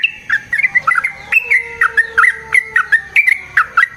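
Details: Long fighting song of a yellow-vented bulbul used as a lure: clear, loud run of warbling, up-and-down notes in quick succession, with a faint steady tone underneath.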